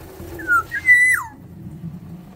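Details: Caged Sumbawa black-naped oriole in an aviary, in full song: a liquid whistle phrase of a falling opening note, a short hitch, then a long even flute-like tone curving downward, with low indoor hum behind.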